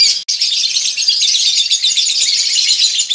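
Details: Male lovebird, calm in a colony and in breeding condition, delivering a long ngekek: a continuous piercing high trill of rapid chattering notes after a brief click at the start.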